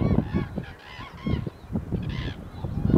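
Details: Common cranes in winter, on 1 February 2014, give several brief, rolling, trumpeting calls, layered over one another, against a heavy low rumble of wind.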